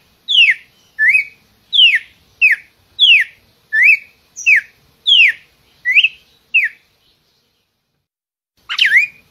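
A red-cowled cardinal sings about ten clear, slurred whistles, roughly every two-thirds of a second, then pauses before one final louder note. No other sounds.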